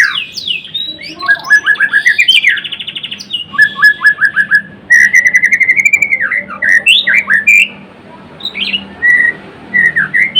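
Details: Actively singing white-rumped shama of the Murai Blorok type, mixing rapid rattling trills, series of short repeated notes and rich whistled phrases with brief pauses.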